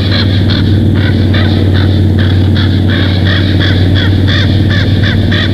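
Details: Nest-camera recording of a bald eagle at the nest in Big Bear Valley on July 19, 2023, 21:19; rapid, piping chatter of many short notes, several per second, continuing throughout against a constant low drone.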